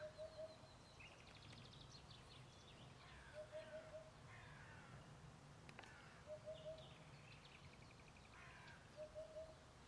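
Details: Two Eurasian hoopoes (Upupa epops), each on its own tree, at Ljubljana Marsh, Slovenia, on April 13, 2024, give soft, low triple hoots, 'oop-oop-oop', about every three seconds, with other songbirds chattering in the background.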